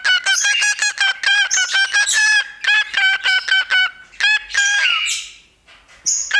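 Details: A male pet cockatiel whistles funny sounds into a tiny microphone placed in front of him: rapid, chattering whistles and squawky harmonic notes in quick bursts.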